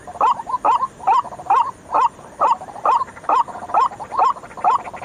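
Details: White-breasted waterhen lure call played at night, a steady run of harsh, nasal croaking notes with a rasping edge, about eleven in five seconds in an even rhythm over faint background hiss.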